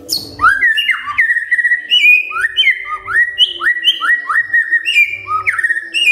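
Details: Magpie-robin in the morning, singing to draw other magpie-robins into song: a steady string of sweet whistled notes, each sliding upward, delivered about twice a second with a few higher flourishes.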